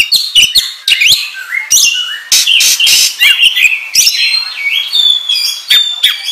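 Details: Ngobra song of an oriental magpie-robin, played as a lure: sharp clicks open into loud rasping bursts, then long steady whistles and short upward slurs.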